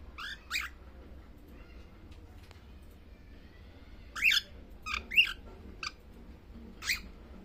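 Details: Baby cockatiel making sounds while sleeping: scattered short chirps, a pair near the start, then a burst of three or four rising squeaky notes, over quiet indoor background.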